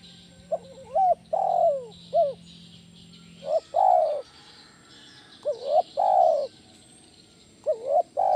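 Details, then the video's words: Loud 'kuk 1' type spotted dove call played to lure and coach other doves: four soft, hollow coo phrases, each quick rising notes then a drawn-out falling coo, with a low steady hum in the first seconds. "SUARA BESAR PANCINGAN TEKUKUR KUK 1 GACOR"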